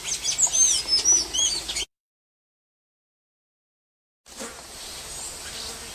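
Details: Golden-chevroned tanager singing at liberty in nature, a short burst of high, bright whistled notes and chirps with a couple of slurred notes, cut off after under two seconds, followed by quiet background hiss.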